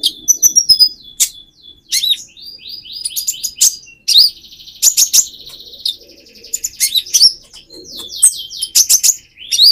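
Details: Speckled Van Hasselt's sunbird singing hard as a lure for another bird, pouring out dense high twittering with sustained buzzy trills broken by sharp chips, nearly continuous throughout.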